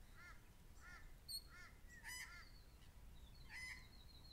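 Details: A grey shrike-thrush near its nest on 10 October scolds an approaching person with harsh, arched mid-pitched notes about every two-thirds of a second, with a few thin higher notes over a low background rumble.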